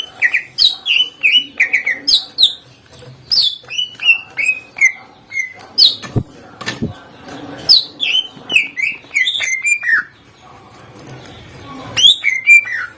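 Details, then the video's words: Greater green leafbird in full, varied song meant to provoke other birds into answering: a fast run of sweet whistled notes, slurred up and down, with high chips and a few sharp clicks between phrases. "Cucak ijo GACOR NEMBAK FULL ISIAN agar burung lain LANGSUNG NYAUT EMOSI"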